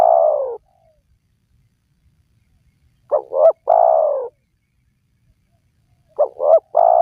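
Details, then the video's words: Spotted dove call meant to draw wild doves into calling. The end of a drawn-out coo, then two phrases about 3 seconds apart. Each has two clipped notes before a long, falling coo. Silent background. "Pemancing Burung Tekukur Yang Malas Bunyi,Langsung Rajin Bunyi"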